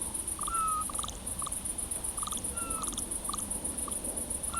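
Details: Eurasian scops owls in the Cavarzere countryside, Venice province, in spring 2016, during mating. Faint, distant, short whistled notes, some doubled, over a loud, continuous, pulsing insect chorus and background hiss.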